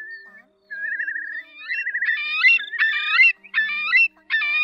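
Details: Whimbrel call recording from August 2024 used as a lure for night-net trapping of migrating birds: rippling whistled trills at a steady pitch, then a string of clipped, bright repeated notes over a faint steady hum.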